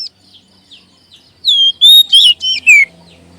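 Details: Oriental magpie-robin lure song for adult and young caged birds: quiet at first, then a loud rapid phrase of sliding whistles and buzzy overtoned notes, descending at the end.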